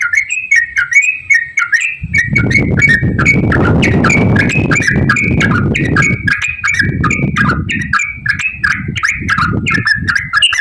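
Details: Yellow-vented bulbul in rapid ropel-style song, used as a lure to get other bulbuls singing: a steady run of short bubbly, warbled notes, some rising and some dipping, with a loud low rumbling noise starting after two seconds.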